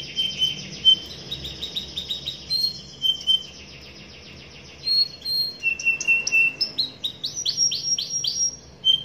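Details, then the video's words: Young canary singing in the lively, rolling 'gacor ngerol' style: buzzy high trills, then short pure whistled notes, then a run of quick descending sweeps near the end. "KENARI GACOR NGEROL NEMBAK | LANGSUNG NYAUT GACOR KENARI MUDA"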